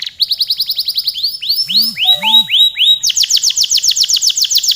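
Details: Canary in full, vigorous long song: rapid series of bright high sweeping notes, then slower arching whistled phrases with a low rolling undertone, switching to a fast steady trill of repeated notes in the last two seconds.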